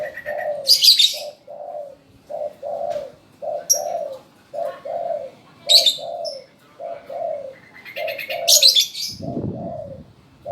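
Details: Tame spotted dove that calls on command, giving a long run of low, soft two-part coos in quick succession, with sharp high chirps from other birds breaking in three times.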